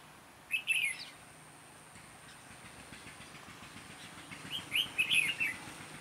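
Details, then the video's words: A red-whiskered bulbul sings, recorded during trapping: two short, bright chirped phrases about four seconds apart, with faint background noise between them. "Bẫy chào mào Giọng đanh lăng xăng"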